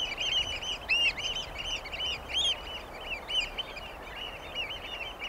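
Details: Eurasian oystercatchers piping in overlapping series: loud, shrill arched kleeps from several birds, a few standing out sharply, over a steady hiss.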